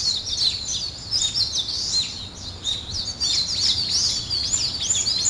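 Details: Birds waking up in the morning: dense, high chirping and twittering, many quick overlapping notes, some short upward-sweeping whistles, with a faint low hum beneath.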